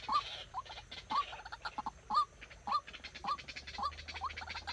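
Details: Decoy White-breasted waterhen kept for trapping, calling during a training session: short, rising, hoarse notes repeated roughly twice a second, with softer clucking notes between them and faint background noise.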